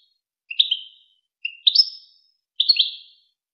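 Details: Song phrases of a European goldfinch from a recording played to train young goldfinches and hybrids: three separate sweet, tinkling double-note chirps about once a second, each fading out; quiet background.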